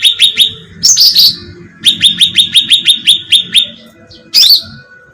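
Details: Luring sound of a bulbul, cucak ranting: clusters of quick, sharp falling chirps mixed with harsh, scratchy bursts, in uneven bouts.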